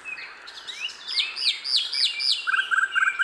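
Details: Sikatan londo singing in the wild: a quick string of high, hooked whistles sliding downward, about three per second, then a different bird adds rapid low chattering triplets near the end.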